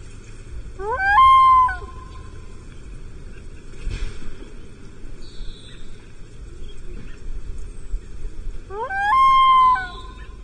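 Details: Common loons of a mating pair on Lake Vermilion, 14 July 2024, after abandoning their nest and fourth egg on a tiny rocky island when bald eagles flew overhead. Two loud calls come eight seconds apart, each stepping upward before holding a rich, steady note.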